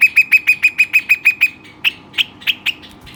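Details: Energetic pet Western rock nuthatch: about nine quick, ringing notes in a tight series, followed by slower, scattered single chips.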